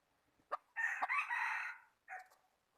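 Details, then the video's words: A rooster crows once, a harsh, drawn-out cock-a-doodle-doo with a short lead-in note and a brief trailing syllable, against a quiet background. "qaib dib qua zoo heev gà gáy hay nhất"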